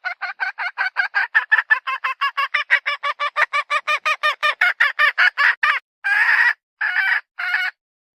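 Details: Hen cackling: a long run of rapid, evenly spaced harsh clucks, about five per second, ending in three longer, drawn-out raspy calls, with nothing else audible.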